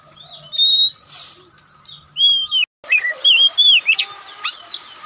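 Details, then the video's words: Oriental magpie-robin, locally called Kacer Poci, Kucica Kampung or white-breasted Kacer, in relaxed song: loud, clear whistled phrases that slide up and down, broken by brief pauses, with a steady faint hum behind. "Kicauan Santai Kacer"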